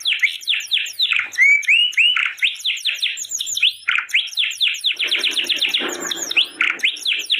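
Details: Canary song used as a tutor for canaries that have stopped singing or are recovering after moult: a fast, continuous stream of high, sweeping whistled notes and trills, with a brief rougher passage near the end.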